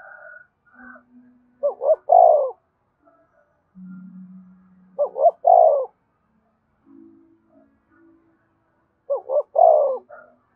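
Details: Spotted dove cooing to attract other doves, a steady three-note phrase, two short notes and a long burry coo, repeated about every three and a half seconds, with soft distant calls and a low hum between.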